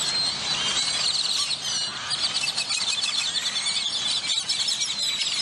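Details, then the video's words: Grackles at a roost near the McAllen–Hidalgo International Bridge, McAllen, Texas, in January, giving a steady, dense chorus of high, squeaky, chattering calls that overlap continuously with no break. "Pleasant Grackle Sounds to Relax to"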